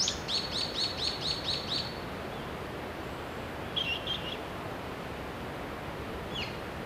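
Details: Japanese pygmy woodpecker chicks at a nest cavity in Shimokitayama village, Nara Prefecture, Japan, in breeding season from mid-May, fed by parents every 15–30 minutes. A quick run of about eight high, scratchy chirps, then a few faint ones over a steady background hiss.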